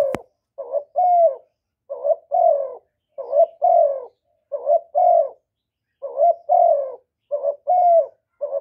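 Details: A spotted dove gives its calling song with urging coos: soft, low hooting notes in short paired and triple phrases, each slightly falling, repeated steadily with brief pauses; a sharp click opens the recording.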